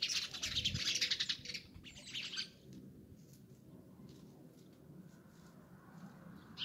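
Sparrows chirp in a busy, overlapping chorus of short bright notes for about two and a half seconds, then fall mostly quiet with a few scattered chirps.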